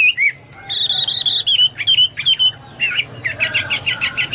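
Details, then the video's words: ['Hwamei song full of rich, harmonically layered whistles, brisk stuttering note groups and a final run of quick buzzy repeated notes, loud and varied with short pauses.'] "Burung Hoa Mi gacor"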